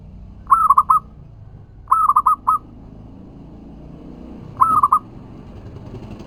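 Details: Local zebra dove song used as a lure to provoke other doves to answer, three short cooing phrases of rolling, stuttered notes about two seconds apart, with a low background rumble.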